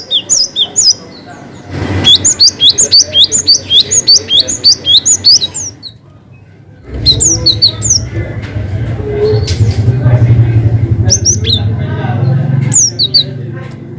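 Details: Cinereous tit in long 'wucit' song with variations, used to prompt birds that sing little: a long fast run of high, sharply inflected whistles, a pause, then scattered bursts over rumbling low-pitched background noise.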